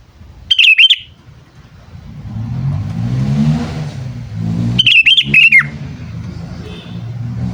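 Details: Sooty-headed bulbul, a kept bird whose calling is used to lure and train wild birds. It gives two loud, short bursts of harsh chattering notes about four seconds apart, over the steady rumble of a running vehicle engine.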